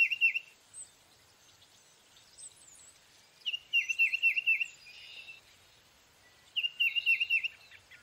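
Tufted titmouse whistling three quick bursts of clear downslurred 'peter-peter' notes, four or five per phrase, with faint high chips from other birds between.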